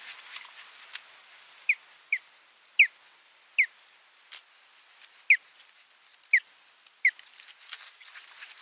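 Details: Nest-site Osprey recorded 28 July 2021, repeating sharp descending whistled notes roughly every half to one second, about eight in all, with a few clicks and light background noise.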